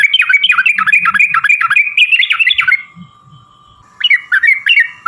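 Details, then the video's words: Yellow-vented bulbul delivering a fast lure song intended to make other birds respond: a dense run of loud bubbling whistles for nearly three seconds, a quiet gap, then a few more notes over a faint hum. "trucukan gacor TARUNG ROPEL PANJANG pancingan trucukan agar bunyi jadikan burung trucuk NYAUT gacor"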